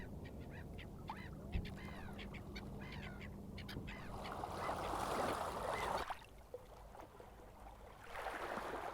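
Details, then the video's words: Common eider calls: a run of short, arched, harmonic notes in the first half, then broadband rushing noise and wind or water that drowns the birds. "Æðarfugl - Eider"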